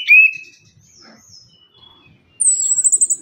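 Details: Orange-headed thrush, locally anis kembang, used as a lure to get reluctant caged birds singing: a loud rising whistle, soft scattered high notes, then a fast high-pitched trill repeated in quick pulses.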